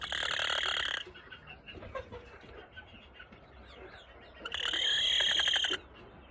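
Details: A backyard Appenzeller Spitzhauben chicken, described as happy, gives two loud, high, rapidly pulsed squawking trills about four seconds apart, with quiet background murmur between. Chicken.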